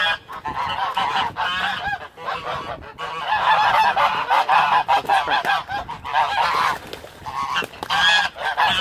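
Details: Domestic geese at a lake, two white geese fighting while others watch until one breaks it up, honk loudly and almost continuously, with harsh nasal blasts overlapping from several birds in an agitated squabble.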